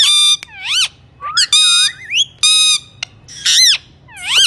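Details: Alexandrine parakeet indoors giving loud, strident squawks, each under half a second, interleaved with arching whistled screeches and single clicks, at a rapid irregular pace.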